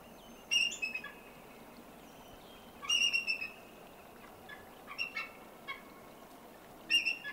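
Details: Female eagle perched in a tree close to a lake, recorded in the Canadian Rockies: bursts of high, thin piping chatter notes with quick stuttering trills, four separate bursts spaced roughly two seconds apart over faint background hiss.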